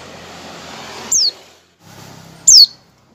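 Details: Oriental white-eye lure calls meant to prompt other white-eyes to sing: two thin, very high, steeply falling notes about one and a half seconds apart, with a faint hiss and low hum between them.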